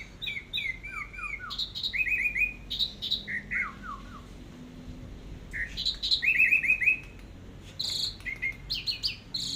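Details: Teler-style orange-headed thrush song for tutoring caged birds: descending series of clipped, repeated whistled notes alternating with high sharp chirps, phrases spaced by short gaps.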